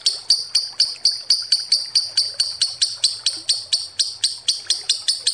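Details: Long ngekek trill of a lovebird, used to lure, made of sharp, high, regular pulses repeated several times a second in a steady, metronomic chatter.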